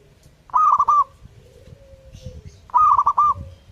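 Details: Two clear phrases from a vigorously singing zebra dove, each a quick run of stepped coos, separated by a quiet low whistle and light background rustle.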